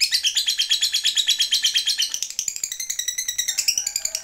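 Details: Lovebird calling a rival with a long chattering song: fast, regular, buzzy high notes pulsing about eight times a second, shifting halfway into a more varied, higher twittering run.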